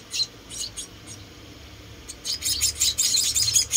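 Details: Four rescued munia chicks during feeding: a few spaced high squeaks, then a brief pause, followed by a dense burst of overlapping shrill cheeps from several young birds at once.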